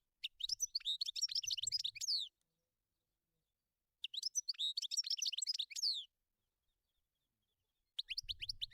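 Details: European goldfinch in the wild gives quick liquid twittering phrases of mixed chirps and buzzy slurred notes. Two phrases last about two seconds each, a third begins near the end, with a faint low rustle beneath.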